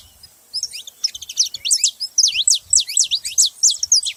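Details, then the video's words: After a brief quiet start, a saffron finch bursts into rapid, loud, high slurred chirps, several per second, continuing without a break. "Canário da terra fazendo barulho"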